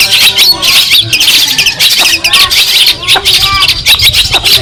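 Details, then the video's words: Long-tailed shrike (cendet) of Madura origin singing a masteran song used to train other songbirds: a dense, fast stream of harsh squawks, chatters and short bending whistles, loud and almost continuous, with a faint low hum beneath. "Masteran burung cendet Madura asli . Bikin emosi lawan"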